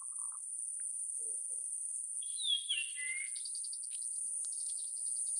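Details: Quieter Japanese grosbeak phrase midway through: a few clear whistles sliding downward, set against a persistent high buzzing drone and faint scattered ticks.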